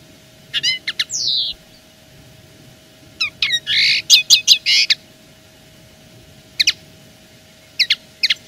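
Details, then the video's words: Territorial song of a common linnet: bursts of rapid chirps mixed with buzzy, nasal phrases and a descending slur, then scattered single high notes, over a faint steady hum. "Le chant de la linotte est une revendication pure et simple."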